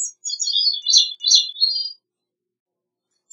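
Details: One complete Gray-cheeked thrush song, Catharus minimus: a nasal, high-pitched run of slurred notes lasting about two seconds, pulsing and sliding slightly downward, then quiet.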